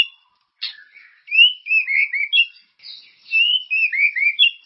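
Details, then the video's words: White-rumped shama song meant to prompt caged birds into singing: after a brief sharp note, varied bright whistled phrases and quick warbles follow in two loose bursts with a short gap between. "Suara pancingan burung murai ❗gacor dan berkarakter"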